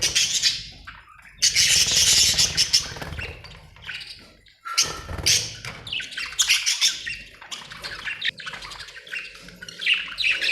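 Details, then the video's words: Happy budgies chirping: dense, continuous warbling chatter of rapid scratchy and squeaky notes, with bursts of high, noisy twittering and brief pauses. "happy budgie chirping sound"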